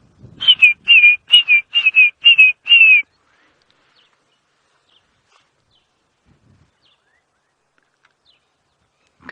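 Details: Red-crested korhaan calling in the background on a sunrise safari drive at Djuma Game Reserve, 5:30 AM, 17 October 2016: about seven clear, high whistled notes, each dipping slightly, given quickly over three seconds.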